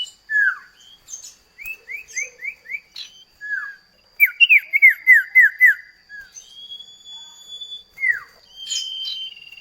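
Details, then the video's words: Common iora singing in a duet that serves as a lure for kept birds; runs of four to six quick downslurred whistles, short phrases, and a long thin level whistle. "Masteran burung CIPOH KACAT gacor ngerol duet pancingan"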